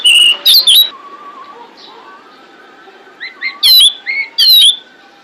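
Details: A female pied bushchat calls to attract males, giving a burst of shrill whistled chirps, then softer thin notes, then two more loud chirping phrases.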